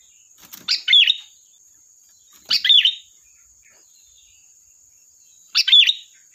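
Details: Lure song of a sooty-headed bulbul: three chirpy, tumbling phrases at uneven intervals of two to three seconds, with a short whistled note inside each and a few soft clicks and a steady thin hiss behind.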